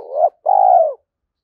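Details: Spotted dove used as a lure, a single close coo phrase: a rising first note then a longer, smooth, slightly falling coo.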